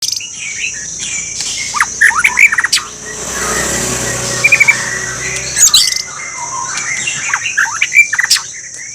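White-rumped shama singing in quick bursts of varied whistles, sharp clicks and chattering notes, over a steady high insect-like hiss.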